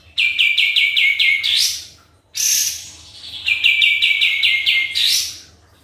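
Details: Sooty-headed bulbul singing hard as a lure: quick runs of five or six bright, even notes, each run closed by a sharp upward slur, with a buzzy burst between runs.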